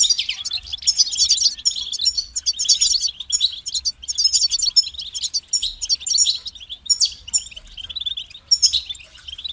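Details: European goldfinch kept as a singing bird, pouring out a long, continuous run of high twittering notes, rapid chirps and buzzy trills, with brief breaks between phrases.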